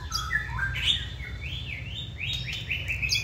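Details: White-rumped shama in a cage singing a fluid warbling phrase of rising and falling whistled notes, continuous and varied, with sharper high notes at the start.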